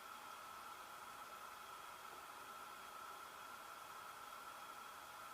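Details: A constant electrical hum with steady tonal bands sits under even hiss throughout, and no animal sound is heard.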